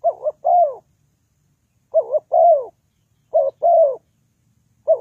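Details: Spotted dove as a trapping decoy, repeating a low mellow phrase of a quick two-pulse coo and a longer downward-curving coo, about every 1.5 seconds in quiet surroundings.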